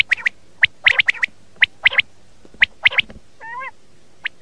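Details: Common quail calls played in the morning to lure quail for hunting: short, sharp high notes in quick pairs and triplets, spaced irregularly, with one nasal, wavering, harmonic-rich note near the end.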